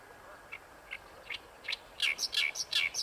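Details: Singing Oriental reed warbler at Ikejima: a few spaced, scratchy notes accelerate into loud, harsh, squeaky syllables repeated quickly, rough and strident in tone.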